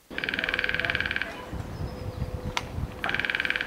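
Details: Lesser spotted woodpecker drumming in the UK, softer and longer than a great spotted's drum: two soft, fast, even rolls, each lasting over a second, with a low rumble of background noise.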